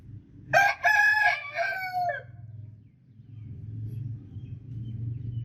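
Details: A rooster gives one full cock-a-doodle-doo lasting about one and a half seconds, loud and rich in harmonics, its last note held and sliding down, followed by steady low rumbling noise.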